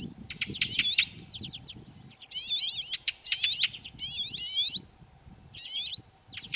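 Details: Water pipit from Hrubý Jeseník, Czech Republic: a lively series of high, buzzy, zigzagging notes and brief trills in quick phrases, some louder than others, over low background rumble.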